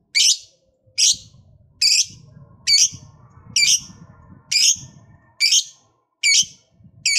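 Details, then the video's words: Lovebird producing sharp, harsh high chirps, each a short burst repeated a little over once per second at a steady pace, with soft low rumbling between notes. "LOVEBIRD LOYO DIJAMIN JADI SEMANGAT BUNYI LAGI, Setelah Mendengar Suara Burung Lovebird Satu Ini"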